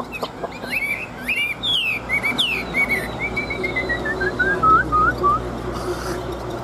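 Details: Chinese hwamei, an old wild-caught fighting bird kept caged in Vietnam, delivers varied whistled phrases: quick twisting notes, then a descending run of clear whistles ending in short repeated hooked notes.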